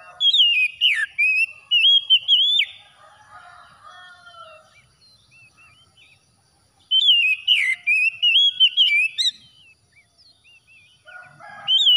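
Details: After dawn, an oriental magpie-robin sings for stressed birds in two long bursts of loud, melodious whistles. Quick slurred sweeps and chattering notes fill each burst, with quiet stretches and softer twitters between them.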